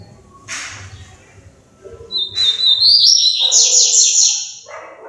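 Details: Captive female double-collared seedeater fluttering her wings, producing two sharp high chips followed by a long, bright, buzzy trill that wavers and steps upward. The room is otherwise quiet.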